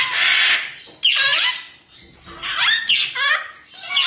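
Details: A large African grey parrot gives a harsh, rasping squawk followed by several shorter, nasal squawks and warbled notes sliding up and down, in a small indoor room.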